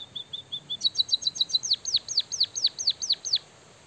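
A white-headed munia sings a high canary-style phrase: soft thin notes, a fast bright trill, then about eight sharp down-slurred whistles repeated roughly five times a second.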